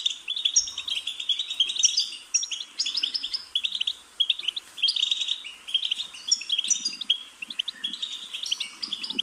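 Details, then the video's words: Goldfinch singing a busy, tumbling twitter of chirps, trills and high whistled notes in bursts, with soft low chatter in the background. "Goldfinch's Singing"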